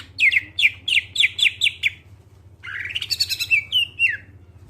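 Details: Greater green leafbird singing as a lure for other songbirds: a rhythmic series of about eight downslurred chirps, a brief gap, then a rising buzzy phrase ending in falling whistles, with a low hum underneath.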